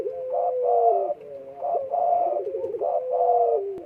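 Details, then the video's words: Spotted dove, breeding condition, 12 December 2022: three deep coo phrases, each opening with a long gliding tone and followed by a rough, vibrating burst, about one phrase per second. "EMUSI KUAT BURUNG PUTER DEKUKUR LAGI BIRAHI"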